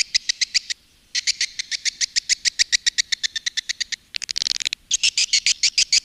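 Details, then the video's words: Swiftlet call and roost lure of the Women Flower type, used by Indonesian swiftlet farmers: rapid trains of sharp high chirps, broken by a short silence after one second and a denser rattling flurry around four seconds. "SUARA PANGGIL DAN INAP BURUNG WALET"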